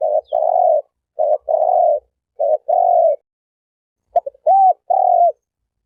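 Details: Turtle dove giving low, hollow coos in three phrases, each a short note followed by a longer drawn-out coo, spaced about a second apart, with a brief stuttering note before the last phrase; clean and quiet background.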